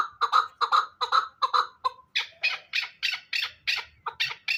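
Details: Hybrid fighting chukar partridge calling harsh, clucking chuk notes for about two seconds. Higher, thinner chattering notes follow at a similar rapid rhythm.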